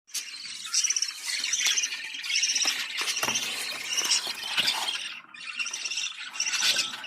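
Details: Budgerigar chatter played to stimulate breeding: dense, continuous high warbling with rapid squeaky notes and short whistles, pausing briefly near the fifth second before resuming.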